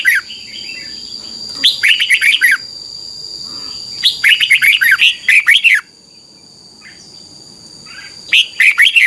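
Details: Doubled 'เบิ้ล' song of a red-whiskered bulbul, used as a tutor recording for young birds in Thailand. Three loud bursts of rapid, bouncy chirped notes, each a compact phrase of five or six notes, with a steady high hum.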